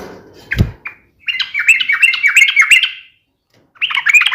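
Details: Yellow-vented bulbul giving a sharp fighting song meant to provoke other bulbuls to reply: a rapid, busy run of chattering, slurred notes lasting about two seconds, then a brief pause and another burst. A low thump is heard near the start.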